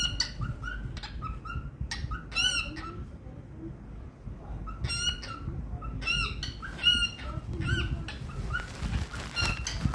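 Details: Happy pet cockatiel singing in short spaced bursts of chirps and brief squawky whistles, quieter than its fuller phrases, with gaps of near silence and a constant low background hum.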